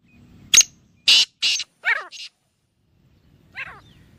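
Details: Black francolin (Francolinus francolinus) giving its excited masti call, a quick run of five harsh, grating notes over about two seconds, then one more rasping note after a pause.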